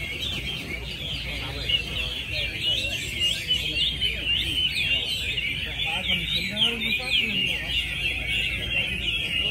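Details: Chinese hwamei at a singing contest in Mỹ Đình, Vietnam, 19 July 2020, where entry number 37 took first prize: dense, continuous whistled phrases with rapid warbling twists, overlapping song throughout, and a murmur of people talking underneath.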